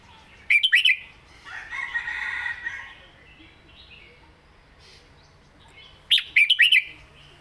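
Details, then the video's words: Caged red-whiskered bulbul in southern-style song: two short bursts of four or five warbled, whistled notes about five seconds apart, with a rough, noisy rustle between them. "เพลงใต้สวยๆ!เม็ดกะจี้กหก/นกเสียงทอง(Bulbul bird)"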